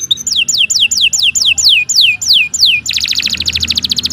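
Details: Canary song for training other birds, long and lively: a run of about ten loud descending whistled sweeps, then a fast buzzy trill of rapid repeated notes.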